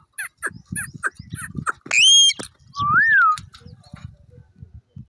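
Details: An Indian ringneck (Rose-ringed) parakeet gives a run of rough clicky chatter, then a loud shrill screech and a rising-and-falling squawk, over low thumping noises.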